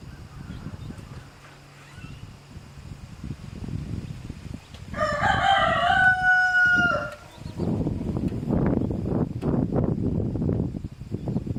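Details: Domestic chicken flock, a mother hen with chicks being harassed by a rooster; after several seconds of low rustling and scuffling, a loud, drawn-out, harmonic rooster crow lasts about two seconds, then the low shuffling noises resume.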